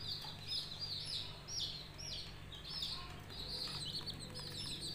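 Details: Coloured budgerigar chicks chirp in a soft chorus, high falling squeaks coming in clusters over a steady low hum.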